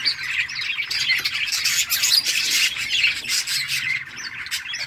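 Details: Playful budgerigars in a summer breeding colony give a steady, crowded chatter of chirps and squawks, several birds overlapping throughout.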